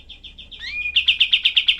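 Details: Rough-voiced 'tembakan' song of a cream-vented bulbul, used for tutoring songbirds: soft high chips, a clear rising whistled note, then a loud run of sharp, tightly spaced chips.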